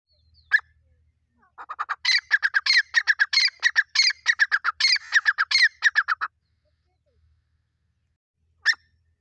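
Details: Irani teetar partridge fighting: an isolated sharp note, then a dense, irregular burst of harsh, chattering calls for about four seconds, and one final note after a quiet gap.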